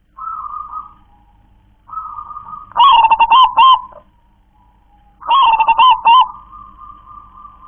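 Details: Local zebra dove in KONG-KLAR-KE-TEK-KONG song style, giving steady drawn coos followed by loud bursts of rapid, hiccuping coo notes, two full phrases with quiet stretches between.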